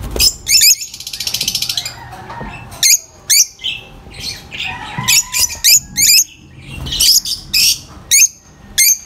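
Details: Noisy lovebird calling: shrill chirps in loose clusters, interrupted by a long, rattling buzzy trill, then more overlapping high squeaky notes.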